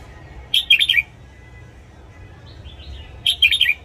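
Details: Training recording of a caged red-whiskered bulbul's morning song: two cheerful, rapid chirping phrases separated by quiet wavering whistles.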